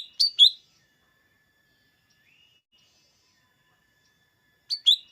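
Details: Lesser green leafbird, locally cucak daun, played before contests to provoke green leafbirds: a bright high double chirp, several seconds of near silence with a faint thin hum, then another matching pair.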